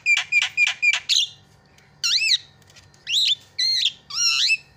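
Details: Javan myna recording used as a lure to get a silent myna singing again: four quick harsh squeaky notes, a pause, then a series of looping, rising-and-falling whistles and squeals in short bursts.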